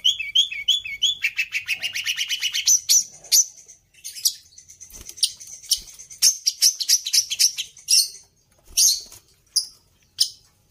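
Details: Long-tailed shrike singing with borrowed phrases from other birds. It opens with looping high whistles, then a rapid, rising series of chirps, followed by scattered sharp notes and short trills.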